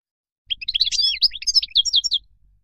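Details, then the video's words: European goldfinch in wild-style song, used for teaching young birds to sing: a rapid, continuous burst of high twittering and tinkling notes with quick buzzy trills, lasting under two seconds against a quiet background. "تغريد الخلوي أو البري لطائر الحسون"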